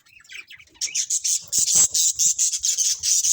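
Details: Colourful budgerigars in a colony chirping loudly, a fast regular series of bright, buzzy high notes, roughly eight per second, following softer warbling.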